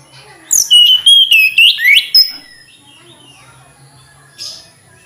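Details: Mountain flycatcher (tledekan gunung) song: a burst of high, sliding whistled notes in quick succession, then a pause and one faint later note.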